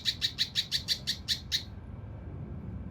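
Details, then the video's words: Mountain leaf warbler song used to train competition birds, in a rough, dense 'shooting' style: nine quick high chirps in rapid, even succession over about one and a half seconds, then quiet with low background hum. "TEMBAKAN KASAR RAPAT UNIK | SUARA CUCAK RANTE MAS UNTUK MASTERAN BURUNG LOMBA"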